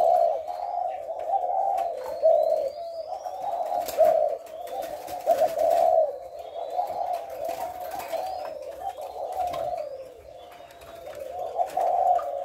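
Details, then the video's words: Spotted dove giving the call style known locally as thổ lối, recorded on 18 September; low, hoarse cooing runs almost without pause, rising and falling in loudness, with faint thin whistles of other birds above. "ÂM THỔ LỐI NGÀY 18/9"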